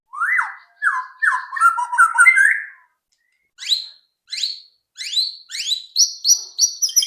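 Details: White-rumped shama singing as a lure to get others to sing: clear whistled notes sliding down and up, then a run of sharp rising high notes repeated in quick succession.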